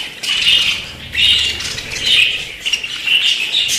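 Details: High, grating chirps and squawks from pet budgerigars come in uneven bursts roughly once a second, overlapping into a busy, scratchy chatter with faint low hum beneath.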